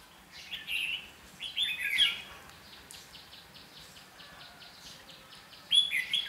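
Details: Red-whiskered bulbul used as a decoy during bird trapping on 8 June 2016, singing to lure wild birds: bright chirping phrases in short bursts with pauses, a loud burst of notes at the end, and a quiet hiss behind.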